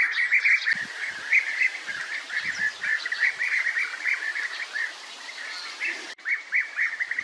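European bee-eaters give a steady stream of short, rolling, liquid notes, several birds overlapping, with faint low thumps in the background.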